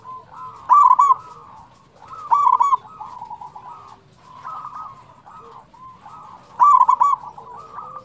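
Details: Singing local zebra dove, played as a lure to attract and excite other zebra doves: three loud bubbling, rolling trill phrases spaced a few seconds apart between softer cooing notes over faint low background noise.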